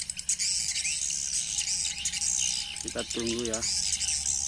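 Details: Swiftlet lure call played through speakers to attract swiftlets. A dense, continuous high twittering chirps on without pause, and a man's voice cuts in briefly near the middle.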